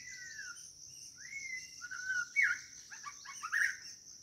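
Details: White-rumped shama calling for a mate: long clear whistled notes that slide and fall, then a fast run of sharp, jumbled rising notes, over a steady high insect drone.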